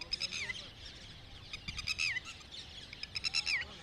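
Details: Red-wattled lapwing calling outdoors. Two short bursts of sharp, strident, rapidly repeated notes, some ending in quick downward slurs, rise above a busy background of other birds chirping and a steady low hum.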